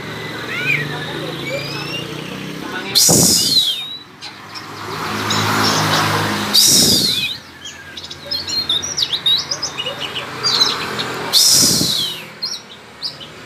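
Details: Oriental magpie-robin (kacer) singing in the konslet style: rapid chirps and short whistled notes, some rising and some falling, broken three times by loud broadband bursts of rushing noise.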